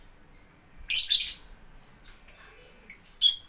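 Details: Lovebirds at a bird playground, tagged as a training bird for the ngetik style: short bursts of high, shrill chirping in three or four brief clusters separated by quiet gaps.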